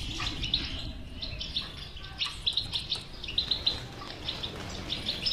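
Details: European goldfinch bitbita song, played to stimulate a silent goldfinch to sing: rapid high twittering with bright tinkling notes that grow denser toward the end, over a steady low hum.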